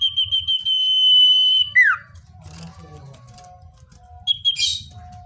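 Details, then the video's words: Common iora in natural voice, used as a lure to draw wild birds closer: a few quick pulsed notes slide into a long steady high whistle, which drops sharply into a falling slur, then short whistled notes return. "Suara cipoh/sirtu (natural)"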